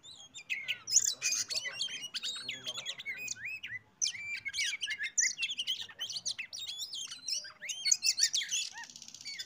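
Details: Oriental magpie-robin (kacer) song serving as a lure to set other birds singing: a long, busy stream of rich whistles, trills and rapid chattering notes, with a brief pause near the midpoint.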